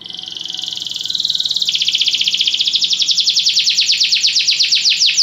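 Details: Belgian canary song used in training, opening with a low rolling trill that jumps higher, then a long series of rapid repeated notes spreading into sweeping swoops that slowly speed apart.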